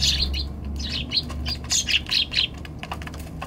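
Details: Balcony flock of Eurasian tree sparrows being given sweet potato, 16 December 2020, recorded on an RX100M5A camera: busy bursts of bright, high chirps and tweets tumbling close together, with a low hum and soft clicks underneath.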